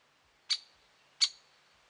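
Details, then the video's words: Great spotted woodpecker at Lake Tavatuy in the Middle Urals, recorded 17 June 2017: two sharp, short 'kik' calls about 0.7 seconds apart, high and explosive, over a quiet background. "Большой пёстрый дятел!"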